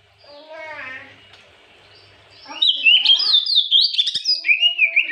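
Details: White-rumped shama in the afternoon, its song played to provoke other birds: quiet rising whistled notes first, then a loud rapid run of bright sweeping whistles and chattering phrases.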